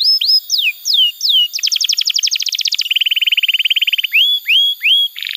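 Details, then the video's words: Tutor song for young canaries and for canaries that have stopped singing: rising-then-falling whistled slurs, a fast high trill, a lower rolling trill, upward hooked whistles, and a buzzy closing note. "Pancingan Suara Kenari Gacor‼️ Ampuh untuk Masteran Kenari Muda dan Terapi Kenari Macet Bunyi"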